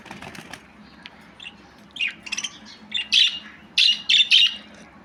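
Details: Budgerigar starting with soft ticking and quiet warbles, building into loud, harsh high chirps in twos and threes toward the end.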